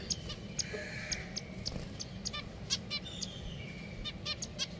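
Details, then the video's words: Pet finches give soft, short chirps repeated at an uneven pace, with a few fainter, longer notes and a low background hum throughout. "Beautiful Finches #Sounds"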